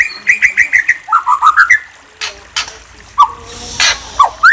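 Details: A White-rumped shama delivers five even whistled notes, then four lower notes rising in pitch. After a pause, single slurred whistles follow, set among soft knocking sounds.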